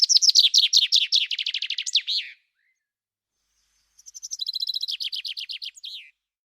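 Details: A common chaffinch on the banks of the Lez river sings its repetitive song twice, about four seconds apart; each phrase is a fast cascade of some fifteen falling notes that closes with an emphatic terminal flourish.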